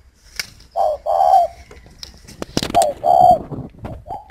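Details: Spotted dove kept at a northern Vietnamese dove garden in Ba Vì, Hanoi, giving low hollow coo phrases, two long buzzy-edged notes then a pause and two more, with a short clatter and a few spoken words nearby.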